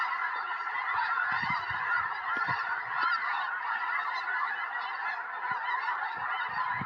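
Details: Wild snow geese in a flock of hundreds circle and descend into a Tennessee field, January 21, 2026, before a predicted historic snowstorm; relentless overlapping honks with scattered low thumps.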